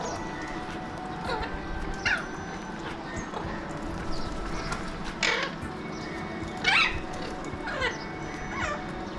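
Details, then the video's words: Alexandrine parakeets, known locally as mountain or pahadi parrots, in Mumbai, India, seen from a window; harsh, raspy screeches sound at irregular intervals, several loud and broken, against constant urban hum and traffic. "Deep Conversations... - Alexandrine Parakeets / Mountain / Pahadi Parrots of Mumbai"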